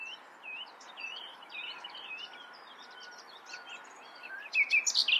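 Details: Common nightingale singing: soft, varied whistled and slurred phrases at moderate pitch, ending in a sudden loud burst of sharp, high notes.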